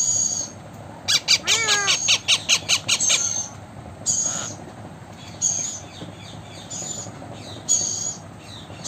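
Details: Blue Indian ringneck parakeet, presented as a talking parrot: a quick run of about eight harsh, buzzy squawks with a downward-sliding whistle inside, then scattered thin high squeaks over quiet background hiss.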